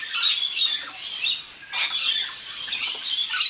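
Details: Wild rainbow lorikeets gathered for an evening feed, an immature bird among them, giving harsh, high screeching squawks in overlapping bursts with short pauses between.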